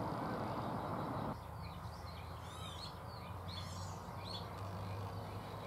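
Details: Barn swallows chirping loudly inside a shed on Getterön, 17 May 2018: quick, high, squeaky chirps and twitters in a loose burst over a steady low background rumble.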